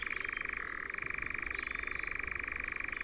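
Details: European nightjar churring in Ringwood Forest, near Verwood in Dorset: a dry, fast-pulsed purring trill running without pause, with a brief lower-pitched dip early on and a few faint high notes in the background.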